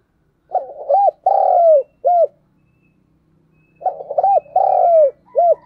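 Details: Training decoy spotted dove cooing loudly in 2022: two identical phrases about three seconds apart, each with stuttered opening notes, a long rasping falling coo and a short final note.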